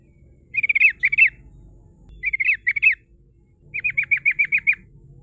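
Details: Lure song of the sooty-headed bulbul, used to draw in rival birds: two bursts of paired squeaky, twisting notes, then a rapid series of seven clipped downward chirps, all bright and high against a quiet low rumble.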